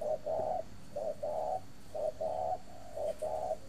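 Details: Spotted dove kept at a breeding farm in Ba Vì district, Hanoi, Vietnam; mellow low cooing phrases, each a short note followed by a longer drawn-out coo, repeated about once a second, with faint background hum.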